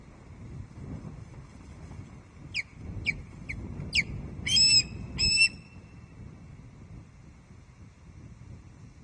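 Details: Ludo, a young osprey chick, arrives at the Loch Arkaig nest at about 06:54 on 27 July 2023 and lands on the high perch, giving about seven sharp, high squeaks, the last harsher, over low wind-like rumble.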